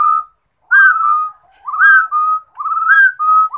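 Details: Rufous-throated partridge song phrases: a sharp upward whistle runs into a lower sustained note, repeated three times over a short pause-filled stretch.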